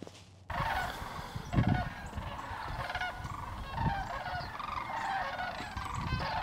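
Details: Sandhill Cranes wintering at Hiwassee Wildlife Refuge near Dayton, Tennessee, on the last day of 2023, gathered out along the grass; a dense chorus of rolling, overlapping calls continues throughout, with low rumbling wind or handling noise beneath.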